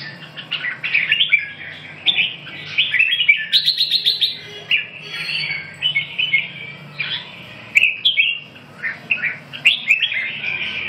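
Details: Red-whiskered bulbul delivering a lively, continuous warble of rapid whistled and chattering phrases, with bright notes tumbling over one another without long pauses.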